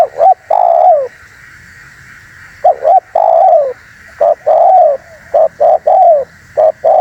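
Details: Spotted dove, calling strongly for luring birds: repeated phrases of short doubled coos leading into long mellow downward coos, becoming denser with quick clipped notes toward the end over steady hiss.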